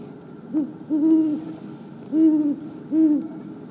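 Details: Great horned owl in the wild, high in a woodland tree in late January, calling to contact another owl: four deep, steady hoots, the first brief and the rest drawn out, with faint conversational chitters between them and no other sounds.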